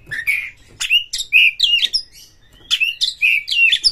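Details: Excited Oriental magpie-robin in Indonesia, provoked to fight a rival, pours out loud rich whistles sliding up and down, mixed with scratchy buzzes, in two dense phrases split by a short pause.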